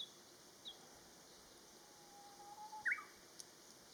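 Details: Japanese bush warbler singing: a long, faint, steady low whistle held for under a second, then a sudden sharp higher flourish, with a soft click afterwards and little else around.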